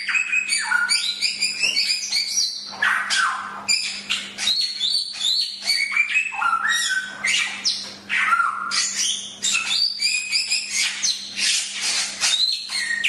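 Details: Chinese hwamei (samyong) in a long, tireless tutor-recording song: dense, ever-changing whistles, trills and sharp slurred notes, rising and falling in quick succession with barely a pause, over a steady faint hum.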